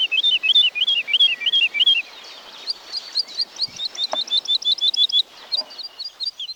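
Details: Woodlark of the Wielkopolski National Park forests, 1990, delivering one phrase of rolling looped notes, a short pause, then a faster, higher run of crisp repeated notes and a closing softer burst.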